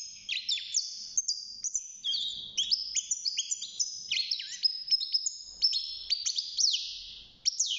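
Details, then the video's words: Six-month-old European goldfinch singing in its cage early in its singing life, a dense, continuous, liquid twitter of rapid high chirps, trills and brief sustained whistles. "الحسون بعد مرور ستة شهور أصبح يغرد"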